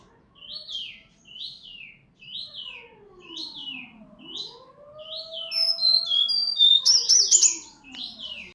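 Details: Shama of Bengkulu, Sumatra, in lively song: a series of bright, falling whistled notes repeated at a steady pace, then a rapid, high twittering run. A low, drawn-out sweeping tone rises and falls beneath the singing.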